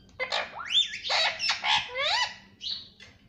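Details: Pet parrot calling indoors: a run of loud, harsh squawks and rising then falling whistled sweeps, five or six bursts over three seconds, ending with a short flat screech.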